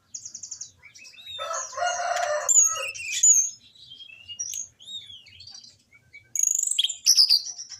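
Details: Varied song of an orange-headed thrush, played to coax lazy caged birds into singing: a rapid chattering burst, a dense harsh rasping passage, then clear rising and falling whistles and high ringing trills near the end.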